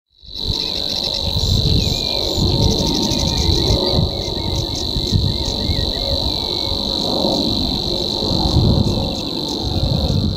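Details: Savi's warbler at Groene Jonker, the Netherlands, on 30 April 2017, reels one unbroken, high, insect-like buzzing trill, finishing a bout of song. Other birds twitter faintly, over a steady low rumble of wind.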